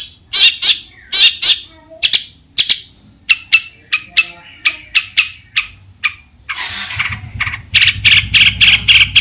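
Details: Long-tailed shrike in a varied song meant to set other shrikes singing: harsh bursts and thinner whistled notes in quick, irregular succession, ending with a dense run of rapid grating notes over a low rumble.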